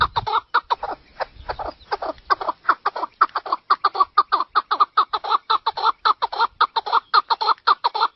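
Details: A chukar partridge gives a long, steady string of clipped, throaty chuck notes, close to two a second, evenly spaced and loud throughout.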